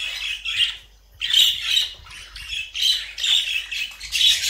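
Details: A budgerigar gives a rapid, warbling run of chattering, squeaky notes and scratchy squawks, a song meant to prompt other budgerigars to sing.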